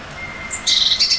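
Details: Eurasian blue tit in spring, early April, preparing a home in a tree hollow and proclaiming its territory from a branch. One high thin note is followed by a quick, bright trill of repeated notes.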